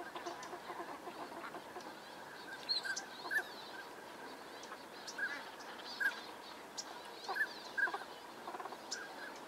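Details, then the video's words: Northern pintail drakes in courtship display in California's Sacramento Valley: short, clear whistled notes spaced a second or more apart stand out above a constant murmur of many distant waterfowl calling together. "Northern Pintail courtship"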